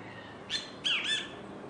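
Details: On a beach, a great kiskadee gives two harsh, squawky notes: a brief one, then a longer slurred call, over a steady background hiss.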